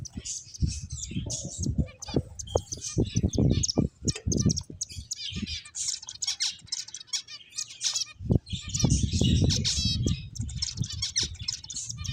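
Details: Lively finch chirping, a continuous mix of high twittering notes and short trills, with repeated low thumps and rustling throughout and a louder patch of background noise midway.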